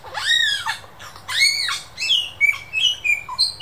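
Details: A Superb Lyrebird in the Dandenong Ranges Botanic Gardens mimics local birds and what sounds like a laser gun and camera shutter: loud arching, laser-like sweeps, then a quick run of varied high chirps and whistles, about one burst a second.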